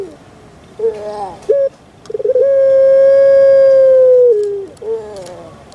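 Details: Well-kept puter pelung dove, Java, Indonesia, calling short wavering notes, then a long sustained level coo that dips lower at its close, followed by another brief note.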